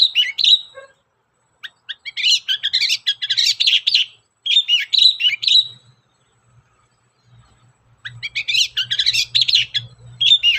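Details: Long-tailed shrike song as a lure: dense scratchy warbling bursts of mixed chirps and squeaks in three runs separated by brief pauses, with a faint low hum.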